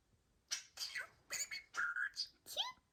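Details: Pet budgerigar chattering happily after a nail trim that had upset it: quick raspy bursts of mimicked speech syllables, one held whistled tone and a short rising squeak, indoors with little background.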